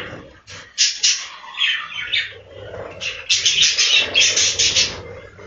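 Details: Several captive budgerigars in a breeding room chirp and warble, with a bright burst near one second and a run of rapid repeated squeaky notes in the second half.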